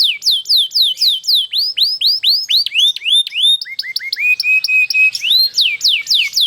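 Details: Caged Atlantic canary, long rolling lure song to prompt other canaries to sing: clear whistled notes curving down then up, repeated rapidly, shifting to short level whistles and back to sweeping slurs.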